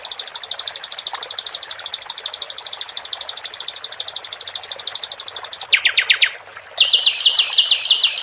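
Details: A captive flycatcher sings long runs of rapid, high, thin notes, about three a second, then breaks into quicker descending chirps and trills over a soft wash of trickling water, used as a master song to prompt other birds to sing.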